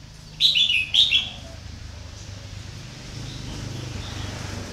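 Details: Red-whiskered bulbul serving as a decoy bird for luring gives two quick, sweet, bubbling phrases in close succession, then falls silent over a low steady background hum.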